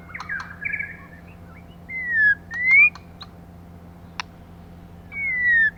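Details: Female white-rumped shama used as a lure to excite males: a few quick chirps, then three long clear whistles, each slurred down or up, separated by pauses, with scattered clicks and a faint steady hum.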